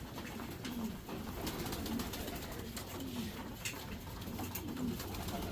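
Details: Racing Homer domestic pigeons in a loft's breeding section give low, throaty coos, four of them spaced a second or two apart, over a steady hiss of indoor loft noise.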